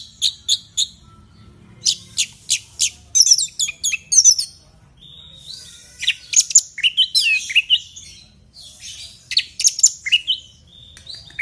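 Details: Loud Orange-headed thrush song for coaxing a caged bird: spaced sharp chips, then tumbling chattering phrases with slurred whistles and rasps, followed by more scattered high notes and quick trills.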